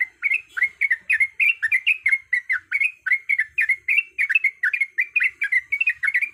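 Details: Clean recording of a breeding-condition female sooty-headed bulbul calling males: brisk series of clear, rolling whistled notes, each a short up-down slur, repeated rapidly with no other sounds.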